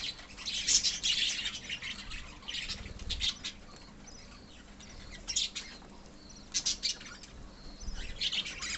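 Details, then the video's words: Budgerigar colony, called love birds, with scattered bursts of sharp chirps and short chattering phrases separated by quieter gaps, plus a few soft low thumps. "love birds colony"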